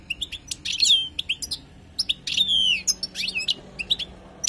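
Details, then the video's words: European goldfinch, a wild bird, singing for tutoring: quick bright twittering with clicks, piping notes and two long descending whistled slurs, in bursts separated by short gaps. "تغريد حسون خلوي للتعليم"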